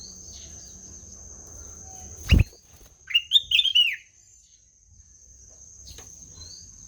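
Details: Black-naped oriole giving a melodious song: after a sharp click, a brief run of fluty, warbled whistles lasting about a second, over a steady high electronic whine and faint low rumble.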